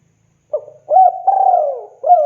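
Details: Spotted dove from Java, Indonesia, a frequent caller, cooing to call a female: a short hooted note, then a longer coo that slides downward, and another coo starting, clean with no other sounds.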